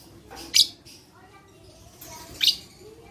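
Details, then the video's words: Lovebird playback for luring lazy lovebirds into song; two loud, piercing screeches about two seconds apart, soft squeaky chatter around them. "Terapi Lovebird Malas Bunyi Cocok Untuk Memancing Bunyi Semua Love Bird"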